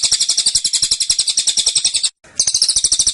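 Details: Fast, shrill tembakan from a caged cililin: a two-second run of tightly spaced high notes, a brief break, then the rapid chatter starts again.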